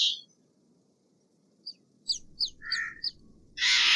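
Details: Steller's jay (Cyanocitta stelleri), harsh calls.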